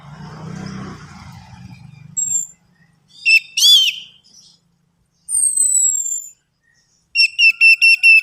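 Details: Lure recording of orange-headed thrush song meant to stimulate singing: separate high whistled phrases, a rich warbled burst, a long falling whistle and a final series of five quick, sharp repeated notes after a murky, noisy start.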